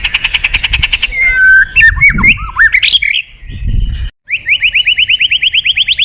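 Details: White-rumped shama in full song to lure and call a rival, with a buzzy trill, then tumbling varied whistles that rise and fall, a brief pause, and a fast series of rising chipped notes.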